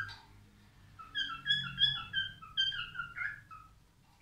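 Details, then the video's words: Male albino cockatiel singing: a warbling string of clear whistled notes, rising and falling, some with bright overtones, ending on a sharp higher note; faint low room noise beneath. "تغريد كالوبسيت البينو"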